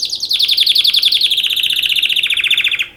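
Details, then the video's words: A canary sings for mating, delivering a fast, even rolling trill of rapid repeated notes that drifts slightly lower over about three seconds before stopping abruptly, loud and close. "Beautiful canary singing for mating تغريد كناري جميل للتزاوج"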